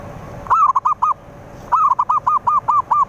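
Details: Zebra dove song played to lure rivals: two bursts of short, arched cooing notes, the first five quick notes, then a pause, then seven more, evenly spaced and mid-pitched, over faint steady background hiss.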